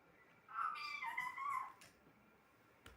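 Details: Talking pet parrot speaks one run of rising and falling voice-like syllables over about a second, then goes quiet apart from a soft click and a faint knock at the end.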